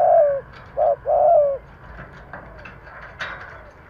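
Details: Captive decoy spotted dove cooing to provoke wild doves: three rounded, slightly falling coos close together, the last one longest, followed by near quiet with faint clicks and a soft knock.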